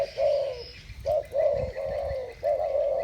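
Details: Two spotted doves calling against each other in the thổ bầu voice style. Low, mellow coos come in four drawn-out notes over three seconds, with soft chirping and buzzing in the background.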